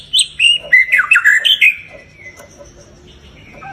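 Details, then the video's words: White-rumped shama singing as a lure for caged shamas: a quick burst of bright, chattering whistles with high overtones, followed by a thin trailing note and near quiet. "COBA PANCING MURAI BATU ANDA DENGAN SUARA INI"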